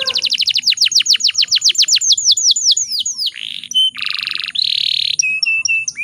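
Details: Female canary in breeding condition, a lure to make males sing: about two dozen rapid falling chirps, then harsh buzzy bursts and a few short flat notes.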